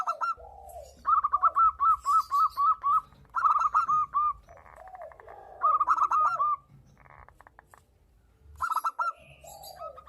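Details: Local zebra dove in breeding condition, singing energetically and answering a female: quick runs of about eight short clipped cooing notes, each run followed by lower, softer rolling coos, repeated several times, with faint high chirps from other birds.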